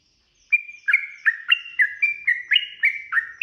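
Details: Sooty-headed bulbul in long rapid-fire fighting song, used as a lure to make other bulbuls answer. After a brief silence, about ten bright, slurred whistled notes step up and down, roughly three per second.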